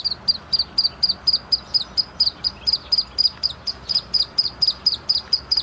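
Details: ['Black francolin chick calling insistently: clear, thin, high-pitched peeps repeated roughly four times a second, about twenty-two notes, each a brief downward-flicking chirp, with a quiet hissy background.']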